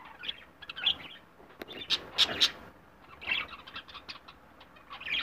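Budgerigar giving short, bright chirps in irregular bursts, with soft chattering between them.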